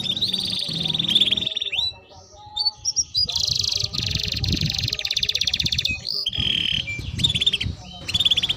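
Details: Singing Timbrado canary delivering a melodic sequence of trills and swept notes, sustained rolled phrases broken by short pauses, with a low background hum and rustling underneath.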